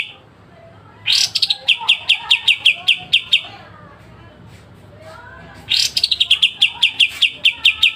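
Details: Two bouts of pied triller song with sharp 'besetan' notes for training songbirds: each opens with a harsh rasp followed by a quick string of high, clipped chips, with a quiet gap between bouts.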